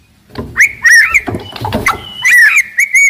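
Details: Loud, aggressive white-rumped shama producing slurred, wavering whistles and a held whistled note, with some low knocking in the background.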